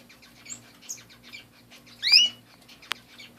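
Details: Pet canaries: one loud, quickly rising chirp with stacked overtones around mid-clip, surrounded by soft scattered twitters and faint rustling, with a sharp click near the end.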